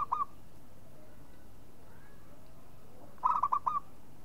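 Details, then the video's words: Zebra dove of a local strain: a brief coo fragment, a long pause, then a bubbling phrase of about four rapid rolling notes. "SUARA MEMANGG PERKUTUT LOKAL"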